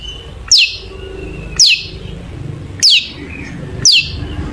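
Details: Long-tailed shrike sound used as a lure to prompt shrikes to sing: four loud, sharp downslurred notes, each falling steeply from very high, spaced about a second apart, with a faint thin tone and low background noise between.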